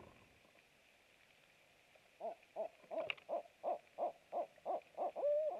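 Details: Barred owl filmed by nest camera at night, 23:49, 27 March 2017, during food delivery; after two quiet seconds, a steady run of about nine even hoots ending in a drawn-out wavering note.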